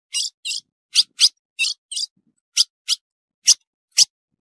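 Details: Series of sharp, high chip calls from a female ultramarine grosbeak, said to excite males, given in pairs and singles about every half second.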